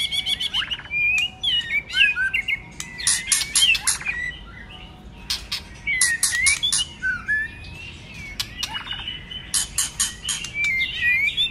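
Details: Many-voiced white-rumped shama song for contest singing: rich whistled phrases broken by sharp clicks and rattles, coming in bursts with brief gaps between.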